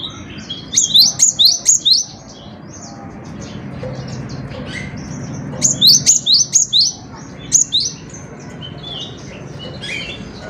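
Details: Cinereous tit (gelatik batu) singing vigorously, recorded for tutoring other songbirds: two bursts of sharp, high, two-note phrases repeated quickly, about five phrases each, separated by a quiet pause with faint background hum.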